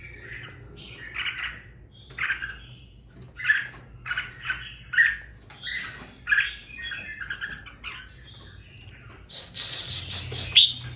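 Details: Red-whiskered bulbul kept in a cage for two weeks, starting to sing: a run of short chirpy, slightly harsh notes repeated about every second, ending in a louder hissy burst.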